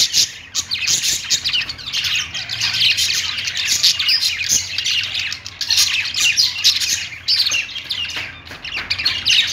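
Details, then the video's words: Caged budgerigars warbling on a perch, several birds overlapping in a steady stream of sharp chirps, squawky notes and rapid twittering with no pauses. "budgies singing on perch"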